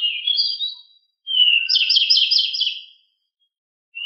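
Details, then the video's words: Rolling ngeroll song of a pied bushchat (decu), fast and noisy: a warbled phrase, a pause, then a rapid rattling trill of repeated notes lasting over a second, ending in silence and a final short note. "Sangat Ngeroll!!! DECU sangat gesit suara sangat berisik"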